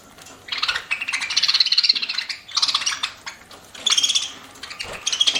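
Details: Budgerigar kept as a pet, chirping as it eats: continuous buzzy, warbling chatter in several long bursts, with bright whistled notes woven in and a quiet room behind.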